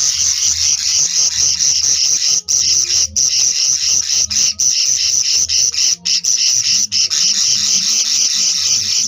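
Budgerigar chicks give a steady, raspy, high-pitched chatter with soft rhythmic thumps underneath.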